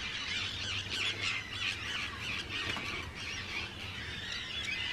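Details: Large Arctic tern breeding colony on Rottumerplaat in the Netherlands, 4 June 2023; rapid, harsh chattering screeches pour out several times a second from many overlapping birds.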